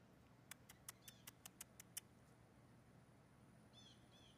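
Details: Blue jays during courtship, several males competing for one female with whistles and chatter. A fast run of eight sharp clicking pulses lasts about a second and a half, then a short buzzy layered note follows. A steady low hum sits underneath.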